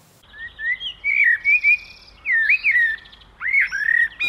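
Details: A male Common blackbird sings to a female, a mellow, fluty warble of several varied whistled phrases, some sliding up and down, with a few thin higher notes between them.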